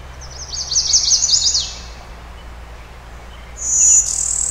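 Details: Brewster's warbler, a hybrid of Blue-winged and Golden-winged warblers singing a Blue-winged warbler type song, Oil Creek State Park, Western Pennsylvania, 20 May 2011, cloudy day: a high buzzy trill, then after a pause a second thin, level buzz.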